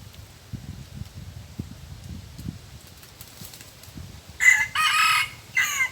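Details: Crow of a red junglefowl, a big wild rooster lured with a decoy in forest: after several seconds of faint rustling, a loud broken crow comes in three harsh segments, the middle one longest.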